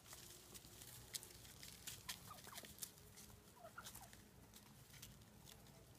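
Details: Roving wild turkeys in Mendocino County, California, that jumped a fence and are fed bird seed, the alpha pecking others; a few short, soft mid-pitched notes among sharp clicks and rustles, over a steady low rumble.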